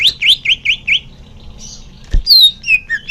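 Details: Greater green leafbird song, played to make caged birds sing more readily: five quick rising whistled notes in a row, a short pause and a sharp click, then a run of varied high, falling whistles.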